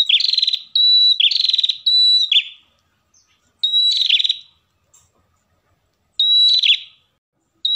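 Ashy tailorbird pair singing: loud, high buzzy trills and sharp whistled notes in bursts about two seconds long, with brief pauses between.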